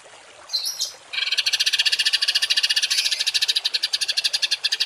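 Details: Songbird performing a rough 'tembakan kasar' masteran for training kept birds: one short whistled note, a pause, then a long, steady rattle of rapid harsh notes lasting nearly four seconds.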